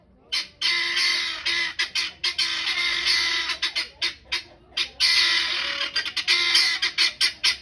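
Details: Guinea fowl cackling: harsh, broadband rasping bursts in long grating runs, then shorter choppy notes repeated about twice a second, loud and close.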